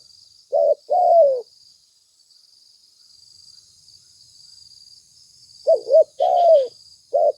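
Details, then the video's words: Spotted dove lure recording: one short coo-croo phrase, a long quiet stretch with only a faint high whine, then more coos and a croo with soft chirps near the end. "Suara tekukur pikat mp3 gacor"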